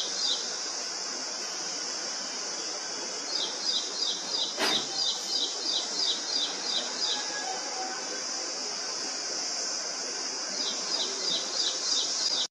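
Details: Indian prinia, a small loud-voiced bird, sings two series of quick, clipped notes repeated steadily about three times a second. A constant shrill high whine runs throughout, and a single sharp click comes midway.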